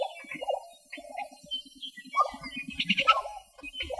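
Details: Lesser prairie-chickens (Tympanuchus pallidicinctus) in Western Kansas give an overlapping chorus of hollow bubbling and yelping notes, broken by sharper squeaky cackles, with several birds calling at once.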